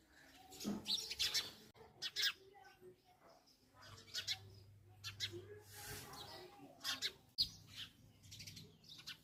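Sparrows give bright, short chirps in quick irregular bursts, several birds overlapping, over a low steady hum.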